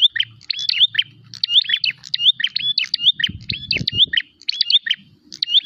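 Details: Prinia calling aggressively for a rival, rapid chirped note clusters repeated steadily, bright and high, with a dull knocking noise midway underneath.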